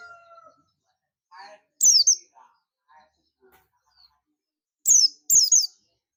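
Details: Buxtomi oriental white-eye calling companions: a high downslurred chirp early on, then a pair of bright descending chirps near the end, with faint scattered lower sounds and brief murmurs between.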